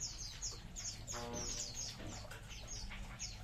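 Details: A colony of munias gives quick, high, falling chirps in a dense chorus; a lower, buzzier harmonic sound cuts in briefly just past one second, and a low rumble runs underneath.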